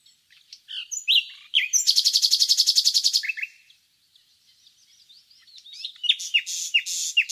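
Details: Nightingale singing: scattered sharp chirps and short whistles, then a loud rapid trill of repeated notes lasting about a second and a half. A pause follows, then a fresh burst of bright, downslurred notes.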